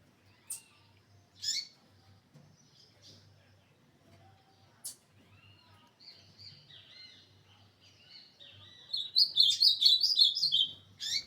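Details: Ultramarine grosbeak recorded on 21 December 2024: scattered sharp notes and soft twitters, then a rich warbling phrase of slurred whistles near the end, over a faint steady hum.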